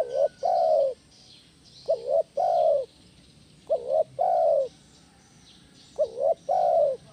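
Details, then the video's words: Spotted dove giving a loud 'kuk 1' style lure call used to train other doves: three low cooing phrases, each a short wavering note then a longer falling coo, repeated about every two seconds over a faint background hiss. "SUARA BESAR PANCINGAN TEKUKUR KUK 1 GACOR"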